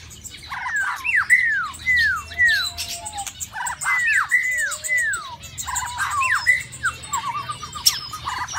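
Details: Caged white-rumped shama in the mating season sings clear arched whistles that rise then fall, delivered in bursts of three or four, with faint higher chirps and a steady low hum behind.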